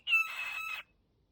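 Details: Pet cockatiel waking up gives a single short, harsh, buzzy screech lasting under a second.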